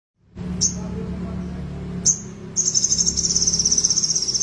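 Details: Caged crested jay with no tail, still singing steadily: two short high chirps, then a fast, even rattling trill of high buzzy notes running on for about two seconds over a low background hum.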